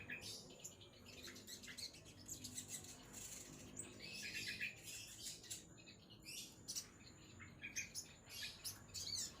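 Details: High, hurried twittering and scratchy chatter from a ruby-cheeked sunbird, broken into many short bursts with brief pauses, over a low steady hum.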